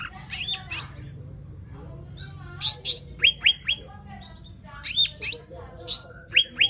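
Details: Sumatran laughingthrush in lively 'tembakan' song: loud harsh squawking bursts alternate with clusters of quick descending whistled notes in groups of three, repeated across the clip, with faint background hum.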